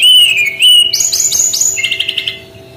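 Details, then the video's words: Brown-chested jungle flycatcher with its unique shooting song style, sliding whistles that dip and rise, then a rapid trill of about six bright notes and a lower series of quick repeated chips. "SUARA UNIK GAYA TEMBAKAN BERKICAU BURUNG SRDC"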